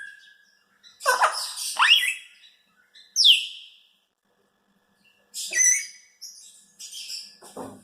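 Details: Pet Congo African grey parrot, a four-year-old female, lets out harsh raspy squawks and sweeping upward whistles in several bursts separated by silences, ending with softer scratchy notes.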